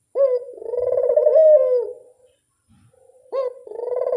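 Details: Barbary dove lure call: two loud coos, each opening with a bright upward flick. The first holds a long, wavering tone and trails away. After a short pause the second begins in the same way.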